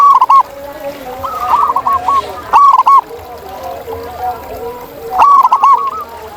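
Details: Zebra dove in the wild repeating quick bursts of short, rolling cooing notes, three phrases in all, against a soft background of other doves cooing.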